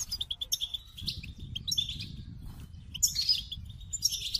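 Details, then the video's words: Goldfinch song with runs of short repeated chip notes, slurred twitters and a burst of higher tinkling trills near the end; soft low background rumble. "The Captivating Call of Goldfinches"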